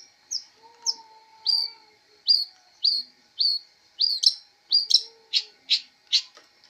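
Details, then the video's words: Long-tailed shrike giving a series of sharp rising chirps about every half second, ending in harsher, rasping notes; a faint low whistle sounds in the background. "MASTER BIRD CHIRPING THE LONG TAILED SHRIKE FULL 30 MINUTES FIGHTER"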